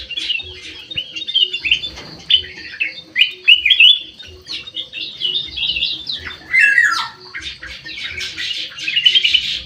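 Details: Aviary golden bulbul singing: repeated bursts of chirpy, warbled phrases, with a louder harsh squawky run near the seventh second and a low hum underneath.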